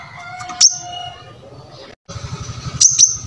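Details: Brown-throated sunbird in full voice, used as a training model for other cage birds: a couple of piercing high chips at the start and doubled ones near the end, over a low background hum with a brief silent break.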